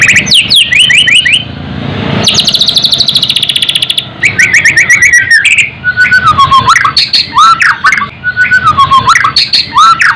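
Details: A white-rumped shama (murai batu) delivering song aimed at raising fighting spirit: quick descending whistles, a long buzzy ringing trill, more fast repeated notes, then dipping U-shaped whistles.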